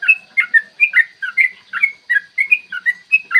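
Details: Yellow-vented bulbul singing a long, rapid 'ropel' song, a clear morning recording used to provoke other bulbuls into song and combat. Dense, bubbling whistled notes run without a break, each one rising and dropping quickly.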